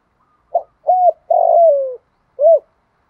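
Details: Caged decoy spotted dove with a thổ-style voice, cooing to lure wild doves: four clean, soft, hollow notes, two short, then a long slightly falling coo and a final short one, in silence.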